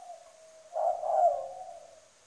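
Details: Spotted dove decoy bird, Trà Vinh, Vietnam, with strong cooing: a soft low coo swells into one loud, rich coo phrase that slowly fades away.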